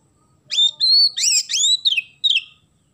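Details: Oriental magpie-robin giving a vigorous isian gereja song, filled with sparrow phrases. A rapid string of bright, high whistled notes that rise and fall, ending in a short descending note, against a quiet background.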